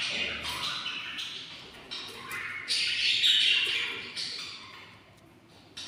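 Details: Hungry six-day-old budgerigar chicks inside a nest box give harsh, raspy begging squawks in overlapping bursts, asking to be fed.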